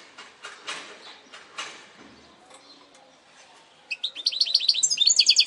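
A goldfinch hybrid sings in bright, high twittering phrases, opening with scattered chirps and ending in a fast run of rapid, ringing trilled notes.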